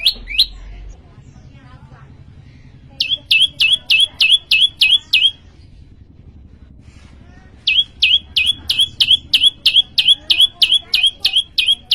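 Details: Prinia (prenjak lumut) in energetic gacor song: bursts of quick, high, upward-flicking chirps roughly three a second, separated by pauses of a few seconds, against a faint low background hum.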